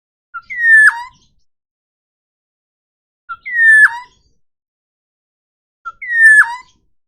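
Forest oriole giving three loud calls about 2.7 seconds apart, each a short note then a slurred, falling whistle with a nasal edge; otherwise quiet.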